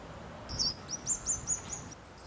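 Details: Short-toed treecreeper climbing quickly, filmed 14 November 2019 at San Antolín de Zamudio, Txorierri, Bizkaia: one thin, very high drawn note, then about five sharp, high, hooked notes in a quick run, roughly five per second, over a quiet background.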